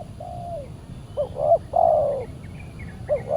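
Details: Spotted dove (tekukur) lured by a decoy on a Saturday, the wild bird said to be very aggressive; a long coo, then a double hiccup and a loud drawn coo, with faint high chirps of another bird in the background.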